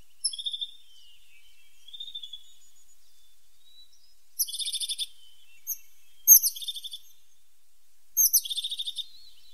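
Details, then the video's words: A tit gives several short, high, buzzy trills separated by pauses. There are a few quick notes at the start, a softer one around two seconds, then three louder rattling bursts later, with quiet background hiss. "The sound of a pointed tit 's voice"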